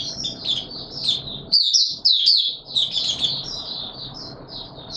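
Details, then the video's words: Caged white-eye in warm humid weather, opening into song: high twittering phrases warbling around a steady upper band, with a brief louder burst mid-clip over low room rumble. "Mata Puteh Raja Video 1 buka sing warm humid weather"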